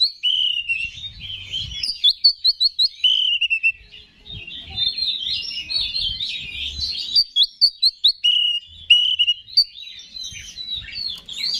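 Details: Continuous song of a kept Oriental magpie-robin, used to rouse other males: rich warbling whistles and rapid repeated chips in quick succession, with low thumping and handling noise.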